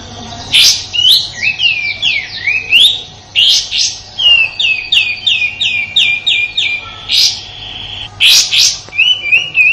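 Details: Rough 'tembakan kasar' song of a sooty-headed bulbul from Indonesia, a master recording for white-rumped shamas and other contest birds: long runs of quick, evenly spaced slurred whistles between harsh rasping bursts.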